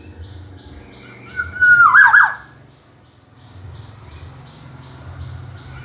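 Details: Black-naped oriole, kepodang emas, in tutor-style song: one loud fluted phrase, a level whistle gliding into quick liquid looping notes that tumble downward, then quiet with faint regular high ticking in the background.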